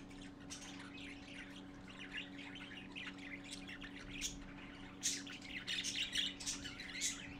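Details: Several parakeet chicks gathering to see their father, 11:45 AM on 12-4-14: scattered high chirps build into louder, rasping squawks in the last seconds, over a steady low electrical hum.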